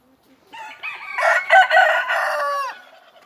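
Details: Indian Malay rooster on a muddy farm gives one loud, hoarse crow: a rising start, a strained, rough middle section, and a long held note fading out after about two seconds.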